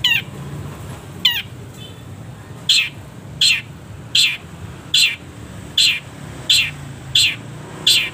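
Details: Training recording of a caged long-tailed shrike with pauses: two falling harmonic notes, then a run of about eight short, sharp, high chips repeated every 0.7 seconds, over steady low hum.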